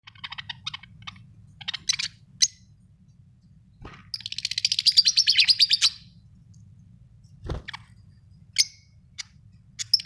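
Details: Pet budgerigars kept at home, giving short chirps in broken runs, then a long burst of rapid buzzy chatter, then scattered single chirps, over a steady low hum.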